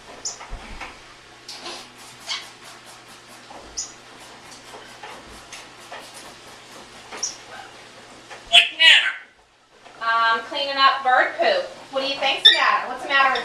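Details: Adopted 16-year-old pet African grey parrot indoors, which repeats the same question while its owner cleans, especially in the bird room. Scattered clicks and squeaks, a brief sharp burst, a moment of silence, then a run of voice-like harmonic phrases.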